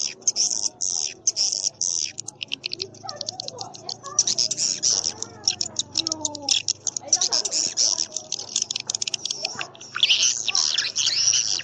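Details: Swiftlet call track used as a lure for swiftlet houses: dense, rapid high chirps and twitters in bursts, with faint lower wavering tones in the middle section.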